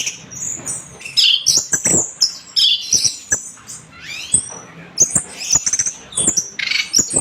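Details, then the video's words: Orange-headed thrush singing vigorously as tutor song: high, thin whistles and quick slurred notes in short bursts, broken by frequent sharp taps and clicks. "SUARA BURUNG ANIS MERAH GACOR"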